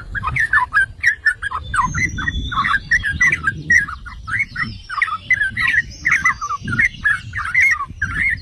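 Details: Bubbling, chattering song of the yellow-vented bulbul, called trucukan in Java, kept going steadily for eight seconds with a faint high whistle behind it. The song is used to prompt rival bulbuls to sing.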